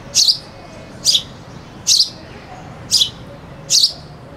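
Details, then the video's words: A sparrow gives five sharp, high chirps, each a brief bright note about a second apart, over a low steady hum, with a cuckoo singing in the background. "sparrow bird sound (with cuckoo singing in the back)"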